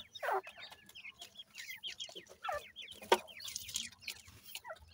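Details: Young francolin chicks, 28 days old, feeding together in a yard, giving a dense chorus of shrill downslurred cheeps, several birds calling at once, broken by a few loud clattering knocks.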